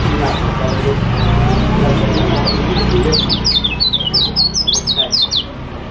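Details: Lombok kecial kuning white-eye singing energetically as a lure for silent birds: a rapid run of high, sharp down-slurred chirps over about two seconds, following a stretch of low rumbling noise and faint talk.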